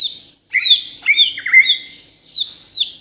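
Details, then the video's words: Bornean white-rumped shama, native to Kalimantan, delivering energetic 'gacor full isian' song: high clear whistles and sliding notes in short bursts with brief pauses, clean and loud. "MURAI BATU BORNEO GACOR FULL ISIAN || AMAZING BIRD CHIRPING MURAI BATU"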